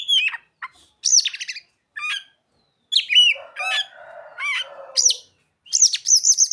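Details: Oriental magpie-robin delivering a varied song with mimicked bird phrases: sharp downslurred whistles and rapid chips in separate bursts, with a lower buzzy rattling passage in the middle.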